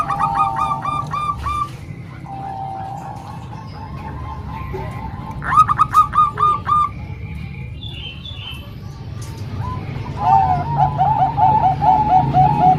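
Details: Bangkok and local zebra doves combined to train young birds: bursts of quick, bubbling coo series separated by short pauses, with faint high chirps from other birds and a low background hum.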